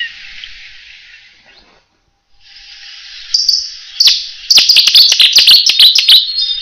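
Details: A Cetti's warbler in France bursts into its loud, explosive song: a rapid run of sharp, ringing notes lasting about two seconds, after a quiet stretch of faint hiss.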